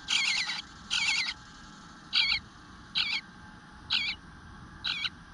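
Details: An Eastern Bluebird nestling at its nest, not fed for a while, gives high, rasping begging bursts, about one a second, some longer and some short, over a faint background hiss; recorded 25 June 2022 at 9:10am.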